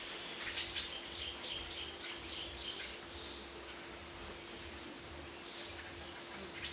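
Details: Golden-fronted leafbird perched unusually low on a branch at Kaeng Krachan, Phetchaburi, Thailand, 19 June 2011: a run of thin, high chirps about three per second for three seconds, then faint scattered notes over a steady low hum.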